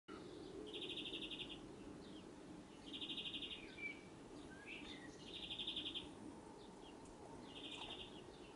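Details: Male European greenfinch singing from the top of a spruce, giving faint, even, rattling trills about a second long, repeated roughly every two seconds over a steady low background hum.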